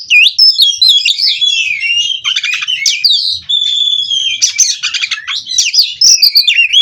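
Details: Captive-bred kacer, the Oriental magpie-robin, in unbroken 'ngerol' singing: bright zigzag whistles interleaved with dry buzzing trills, loud and sustained throughout.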